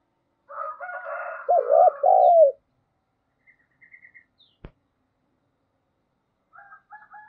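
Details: Spotted dove lure call, 'giọng thổ' voice, used to stir rivals into calling: softer broken chirps first, then a loud two-part coo. Faint chirps and a sharp click follow, with more chirping near the end.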